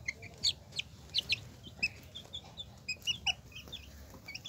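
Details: Hen with her chicks; high, thin peeps from the chicks come in quick scattered bursts, several overlapping, over a faint background hiss.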